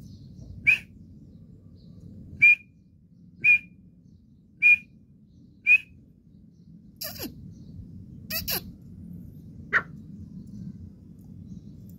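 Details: Partridge (teetar) calling: five clipped, high notes at irregular one-to-two-second gaps, then a few sharp clicks and one last softer note.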